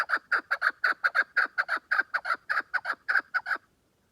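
A chukar gives a fast run of hoarse, clucking chuck notes, about five per second, often in pairs, for three and a half seconds before stopping.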